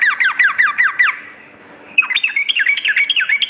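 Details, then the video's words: Sooty-headed bulbul at night delivering quick falling notes in a dense run, a short pause, then another fast, bright rolling phrase. "terapi trucukan dimalam hari"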